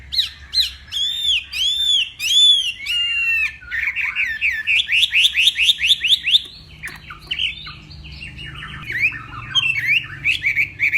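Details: Competitive morning song of a hwamei from northwest Vietnam: repeated arched whistles, then a fast series of about a dozen rapid upswept notes, followed by jumbled chattering phrases.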